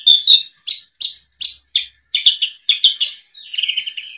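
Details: Bush lark tutor song from a 2022 training collection: a series of clipped high chirps roughly every third of a second, doubling into paired notes, ending in a lower warbled twitter.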